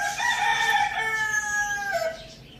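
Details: A rooster crows in a farm village while a rooster and hen eat spinach. One loud crow of about two seconds, with rich layered harmonics held steady and then sliding gently downward before fading out.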